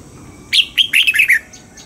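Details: A red-whiskered bulbul practising its double-note morning song delivers a single lively phrase of about six loud, slurred whistles, ending on a falling note, all within one second.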